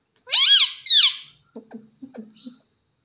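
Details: Talking rose-ringed parakeet kept indoors, said to say "mummy", gives two loud, bending, harmonic-rich squawked syllables, then a run of short, soft, low chattering notes.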